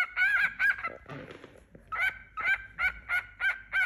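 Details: A tame, playful pet cockatiel, a young male about four months old, newly paired with a female companion: a fast series of short, bright chirps repeated about three times a second, broken briefly by a rustling scuffle.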